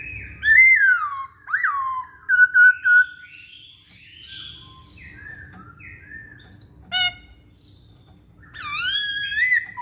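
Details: Caged-style masked laughingthrush singing as a lure for other songbirds: strong descending whistled notes, a short burst of repeated phrases, then quieter scattered notes and a final loud rich rising-falling call.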